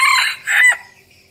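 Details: A decoy red junglefowl gives a two-part crow, a strong rough opening note then a higher arched syllable that drops away, followed by near silence.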